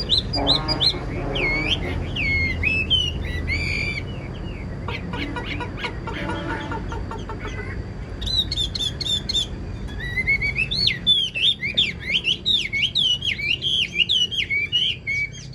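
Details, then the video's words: Chinese hwamei kept as a cage bird in Vietnam, praised for its full song, delivering varied high whistles and trills with a noisy, clattering middle section and a steady background hum. "Hm 2896 - Bóng bộ đẹp, lông xanh mắt méo, hót tốt bài bản"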